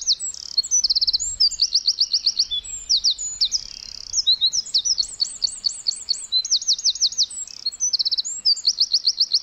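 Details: Wren singing nonstop in a forest: a long, loud outpouring of very high trills, with fast repeated note series joined by brief sharp whistles and buzzy linking sounds, and a clean, quiet background.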